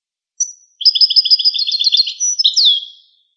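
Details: Goldfinch with a brief high note, then a rapid, even series of twittering double notes, closing on a sweeping downslurred whistle; clean and without background sounds.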